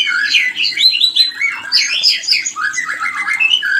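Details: White-rumped shama call played to trigger breeding readiness in a stalled pair: a dense, continuous tumble of harsh chattering notes and slurred whistles that sweeps between mid and high pitches, loud and unbroken throughout.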